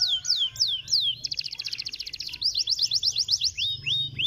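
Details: A canary sings a stimulating song, with a few looping high slurs leading into a fast buzzy roll, then rapid rising-falling notes and short upward whistles.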